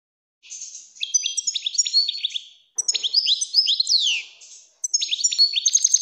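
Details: European goldfinch singing a mating song, meant to teach young goldfinches and excite females. Three bursts of fast, tinkling, twittering phrases mixing high chirps, short trills and down-slurred notes, with brief pauses between them and no background noise.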